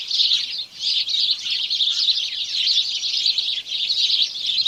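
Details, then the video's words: A dense flock chorus of house sparrows, overlapping bright chirps and cheeps running continuously without pause. "House Sparrow Birds Chorus"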